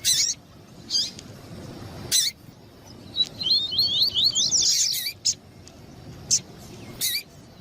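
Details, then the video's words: Double-collared seedeater (coleiro tui tui) male song, with a female calling, used to excite males: high sharp chirps repeated at intervals around a fast, rolling run of high warbled notes. "MELHOR COLEIRO TUÍ TUÍ E FÊMEA CHAMANDO PARA ESQUENTA COLEIRO TUÍ TUÍ"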